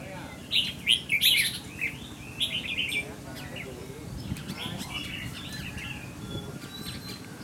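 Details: Caged red-whiskered bulbul (chào mào), described as 'mơ mặt, mí lửa', tested for its attitude: a loud run of chirpy, warbling whistles near the start, then softer scattered notes and faint background chatter.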